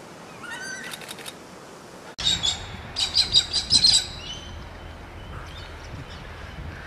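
A yellow-tailed black cockatoo gives a brief wavering cry, then a run of harsh, raspy bursts over about two seconds, possibly mixed with wingbeats.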